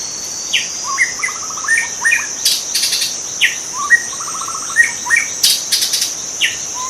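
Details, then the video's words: {'caption': 'White-rumped shama heard in the wild: two similar phrases of a sharp whistle followed by a quick ladder of repeated notes, plus scattered chips, over a steady insect drone and crackling bursts.'} "kicau murai batu di alam liar"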